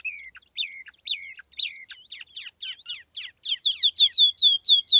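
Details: A tiểu mi laughingthrush lure bird sings cleanly: falling whistled notes, then sweeping downslurs that speed up into a steady run of loud, ringing whistles, roughly three per second.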